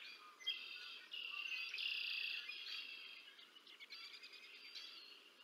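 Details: Wild bald eagle at the Decorah North nest, feeding two chicks on 30 March 2024; thin, high whistled calls blur into a long shrill wavering stretch, then shorter piping notes follow.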